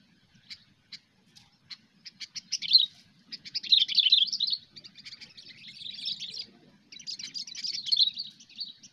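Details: Sooty-headed bulbul singing in the cengkram style, recorded for a bird-luring hobby: isolated sharp chips that quicken into dense, buzzy, chattering bursts, high-pitched and repeated in three long runs, over a faint low hum.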